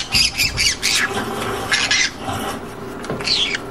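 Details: Green conure producing a continuous run of rough, grating squawks and chatter with brief gaps, ending in a clearer squawk.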